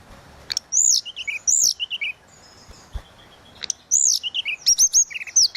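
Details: Tledekan laut in lively 'suling' song for tutoring other birds: arched high whistles followed by short falling twitters, given in two bouts separated by a quiet pause of more than a second.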